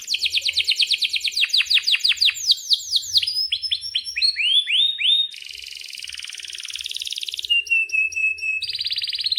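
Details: Singing canary with a long rolling song meant for teaching young birds: fast repeated downward-sweeping chirps, shifting into varied phrases, a harsh buzzy stretch, then clear whistled notes and trills.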